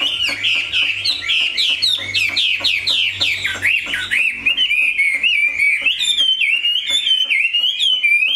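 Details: Captive Chinese hwamei pours out a rich, melodious song of downward-swooping whistles that turns into rapid rolling trills and high bright slurs in the second half.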